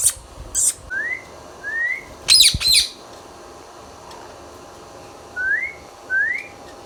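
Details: Pet green ringneck parrot from India whistles short rising notes spaced about a second apart. A burst of loud rough squawks sits in the middle, and two more upslurred whistles close the sequence.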